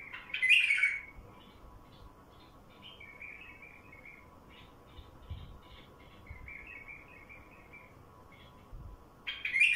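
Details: A wild bulbul opens with a loud, bright warble, then gives a long series of faint, clipped chirps before a strong phrase returns at the end, over a low hum. Recorded to attract wild bulbuls.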